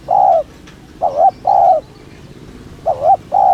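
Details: Spotted dove, lure-style cooing for drawing other doves: low hollow coos, a sustained note, then a wavering short coo and a longer even one, repeated in quick succession.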